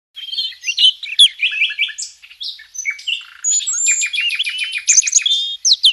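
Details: Red-cowled cardinal singing a lot in the canto de açoite style: a dense, fast stream of varied high chirps, slurred notes and rapid trills, with hardly a pause.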